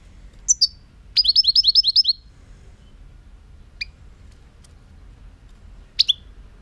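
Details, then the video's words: European goldfinch singing: a high thin note, then a rapid run of about eight bright, sliding twittering notes, followed after a pause by two isolated sharp chirps; otherwise quiet with a faint low hum. "chant chardonneret"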